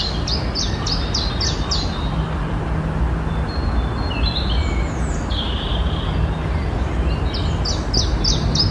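An off-key common chiffchaff sings a quick string of high, dropping notes, pauses, then repeats it over a steady low rumble.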